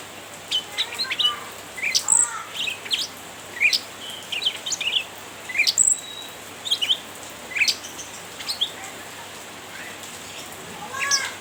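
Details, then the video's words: Cucak ranting chirping in a lively, rapid stream to provoke a rival: short sharp high chirps and twittering notes, often in quick pairs or triplets, repeating steadily through the clip over a soft hiss of background noise. "Burung cucak Ranting gacor nyrecet menggoda lawan"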